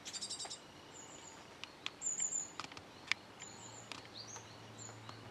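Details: Japanese tit fledgling, out of the nest a day and still in a nearby tree being fed by a parent on the morning of 5 July 2013, giving high, harsh, buzzy begging calls in short bursts, with thin chips between, faint low hum.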